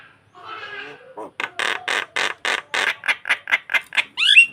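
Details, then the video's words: Nodding starling calling to draw out another bird: a soft chattering warble, then a steady train of loud, harsh rasps about three per second, capped by a sharp rising whistle. "Burung jalak memancing mangguk mangguk"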